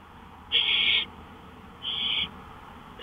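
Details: Owl calling at night on a porch, 1:53 AM on May 5, 2013. Two harsh, breathy hissing screeches, each about half a second long, with a steady low background hum between them.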